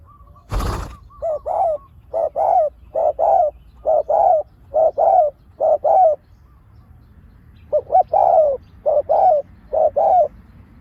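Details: Decoy spotted dove used to lure wild doves: a sharp click at the start, then paired low coos repeated roughly every second, a short pause, and another series of double coos.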